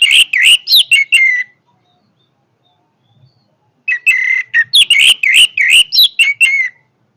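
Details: Orange-headed thrush singing with power in two loud bursts of rapid, varied whistles and chirps, some notes slurring downward, separated by about two seconds of silence.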